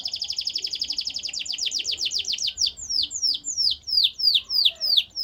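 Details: Canary singing a fast trill that gradually slows into separate loud, downward-slurred whistles, roughly three per second by the end.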